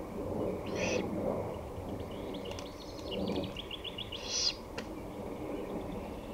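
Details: Great horned owl on 23 May 2018 in late afternoon, 5:53 pm: two rasping, breathy screeches about three and a half seconds apart, while another bird's quick chattering trill sounds between them over low background hum.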